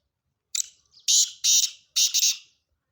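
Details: Black francolin calling, a harsh grating phrase of four rasping bursts, the last three loud and broad, delivered in about two seconds with no other sounds around.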